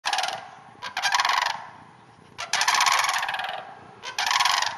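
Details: Wild sandhill cranes in a hayfield about half an hour north of the Twin Cities, giving loud rolling, rattling bugles in three bursts of about a second each, separated by quieter gaps.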